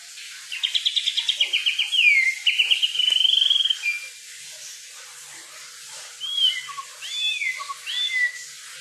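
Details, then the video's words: Kukluk bird singing in the wild: a fast trill of high notes, then a clear sweeping whistle, followed after a pause by scattered looping whistled phrases. "burung kukluk"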